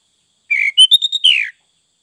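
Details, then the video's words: Sooty-headed bulbul singing full isian: a clean one-second phrase of a falling whistle, a few bright mid notes, then a long descending slurred whistle. There is no background noise. "Burung Kutilang Fulll isian"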